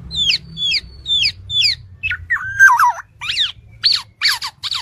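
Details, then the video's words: Black-naped oriole in a training recording, giving four evenly spaced descending whistled chirps, a twisting warbled squeal, then harsher, buzzy high notes. "MASTERAN BURUNG KEPODANG"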